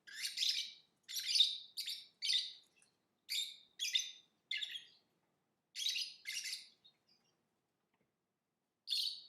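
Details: Lovebird chirping in a steady run of short, harsh, high-pitched chirps, about ten in nine seconds, in irregular clusters with brief pauses, otherwise quiet.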